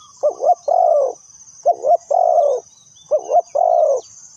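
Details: Trapping lure spotted dove calling in two clear phrases, each a quick two-part coo followed by a longer, smooth, gently descending coo, separated by short pauses. Faint high bird chirps run underneath.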